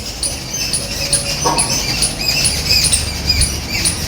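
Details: A flock of jungle babblers visiting a house yard for food chatters in a steady stream of short, high, squeaky chirps, about two each second, over a low background rumble.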